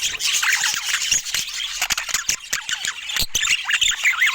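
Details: Budgerigars chattering, without words or music: a dense, continuous warble of scratchy chirps, squeaks and quick rising and falling whistles from several birds at once, with sharp clicks scattered throughout.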